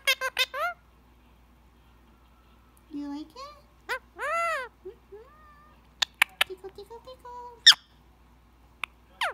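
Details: Indian ringneck parakeet kept as a pet, chatty while relaxing under head scratches before bed: arched, speech-like syllables with rich harmonics, gurgling phrases, sharp clicks and a few high squeaks, separated by short quiet gaps.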